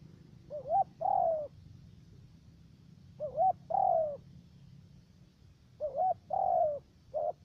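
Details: Decoy spotted dove for bird trapping, U Minh area of Cà Mau, Vietnam, calling in a three-note voice: a rising hooked note, then a long downward-sliding coo, the phrase repeated roughly every two and a half seconds.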